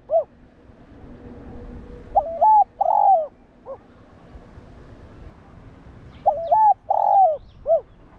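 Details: Spotted dove (cu gáy) cooing to rouse decoy doves. A lone short hoot is followed by two three-part phrases of mellow coos about four seconds apart, each ending in a clipped note.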